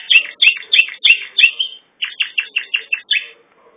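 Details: Pet canary singing: a rapid series of bright descending chirped notes, about five per second, brief pause, then a second faster run of similar sweeping notes, with faint soft clicks in a quiet room.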